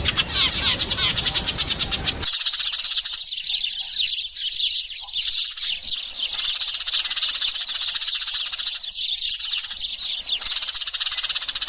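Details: Eurasian tree sparrow flock lure sound opening with a harsh buzzing burst, followed by a long, dense shimmer of thin, high chirps from many birds at once.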